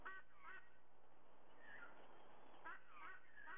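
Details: Sydney white-bellied sea eagle at its nest before dawn, 05:44 on 30 September 2022, giving nasal honks: a quick pair at the start, a softer note mid-way, then another rapid doublet near the end, with constant low hiss.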